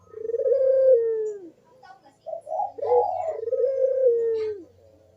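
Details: Barbary dove coo meant to encourage idle doves to call: a long, rising-then-falling rolling note, a short gap, quick staccato notes, then another drawn-out falling coo over a faint low hum.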